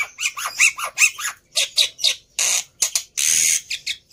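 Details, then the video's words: Black-winged myna in chattering song, played to coax birds into quick singing. Throaty, rasping syllables come in rapid succession, some with bent whistled tones, followed by longer hissing squawks. "Sangat Ampuh Memancing Burung Jalak Putih Bahan Cepat Bunyi Anti Mandek || Jalak Putih Gacor"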